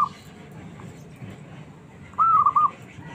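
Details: A small zebra dove, described as having a fighter's spirit, calls to stir up quiet doves into answering. A single bright phrase opens with an upslurred note and breaks into a quick stuttering trill, over soft background noise.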